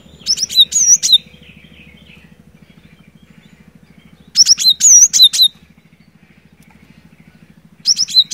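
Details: Energetic cinereous tit song for goading a silent bird to sing: loud bursts of rapid high whistled notes, including sliding and wavering ones, recurring every three to four seconds, with a steady low mechanical pulsing beneath.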